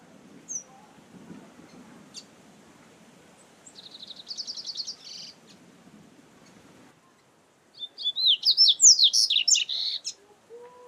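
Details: Double-collared seedeater heard in nature, a short buzzy trill of rapid repeated notes, then after a pause a louder burst of fast, varied, sweeping whistled notes, over faint background hiss.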